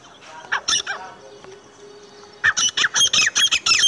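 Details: Partridge calling in pleasant weather: after a quiet start with a few scattered notes, a rapid series of loud, sharp, grating notes repeats about three times per second in the second half.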